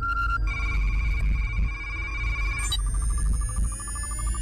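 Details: Steady electronic tones like a ringing telephone over a low hum, with no animal voice heard.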